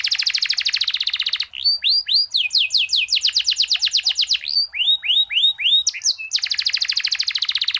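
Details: Long-rolling canary song with varied phrasing, intended as a training recording: opens with a fast buzzy roll, shifts to rising whistled sweeps and chatter, and ends in another rapid roll.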